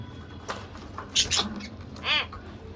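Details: A budgerigar couple giving a few sparse, thin squeaks, then a brighter double chirp and one harmonic, arching call near the end over a faint low hum.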